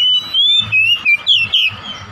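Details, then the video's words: Oriental magpie-robin phrase used to spark a household bird's singing: a fast string of loud, pure whistles gliding high and low in rhythmic pulses, over faint background noise. "PANCINGAN KACER UNTUK BONGKAR MATERI KACER RUMAHAN"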